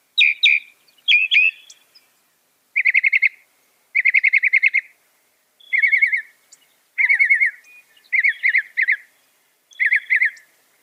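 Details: A northern mockingbird, a mimic said to reproduce about 200 sounds, delivers short varied bursts: a few scratchy notes, then fast rattling trills and chattering phrases, each type repeated in clusters before changing, with short silent gaps.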